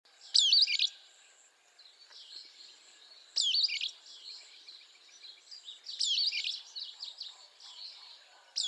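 Sulphur-bellied flycatcher giving loud, squeaky, high-pitched calls about every three seconds, with softer chirps from other birds between them.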